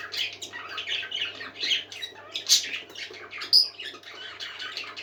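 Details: Parakeets singing in a happy, busy chorus, fast uneven chirps and scratchy squawks about once a second, a sharp high squeal standing out midway, over a quiet continuous low hum.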